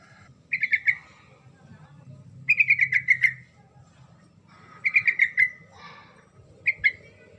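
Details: Rolling song of a yellow-vented bulbul, meant to provoke silent birds to reply noisily. Four phrases of quick, bright, slightly descending whistled notes with short pauses between, over quiet low hum.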